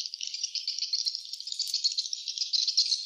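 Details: High, rattling chatter of swiftlets at the nest, many quick chirps blended into a busy, uneven pulse.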